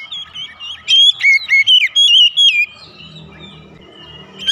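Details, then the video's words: Magpie-robin lure song for pet birds: about eight clear, loud whistled notes in quick succession, then quiet with only a soft low background hum. "terapi pancingan Kacer tanpa mengenal waktu | Kacer rumahan pasti gacor"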